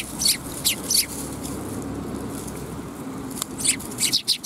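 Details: High, clipped chirps from sparrows at a Tenmangu shrine, afternoon of 10 December 2021, coming in scattered pairs and short clusters with quiet gaps between, over faint low murmur.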